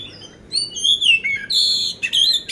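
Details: Loud poci oriental magpie-robin from Magelang, Indonesia, ready to compete, whistling high sustained notes that slur downward, then bright clipped phrases and a sharp ringing note, all in a clean, quiet setting.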